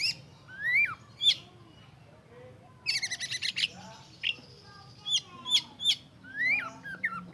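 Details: Magpie-robin (kacer) singing: scattered clear whistles sliding down, a burst of harsh rapid notes midway, then more varied bright whistled phrases over a faint low background hum.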